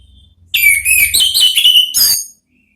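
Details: Orange-headed thrush, ngeplong style therapy song for luring thrushes to respond: a downslurred whistle opening a run of clear, bubbling phrases lasting under two seconds, with a soft low hum at the start.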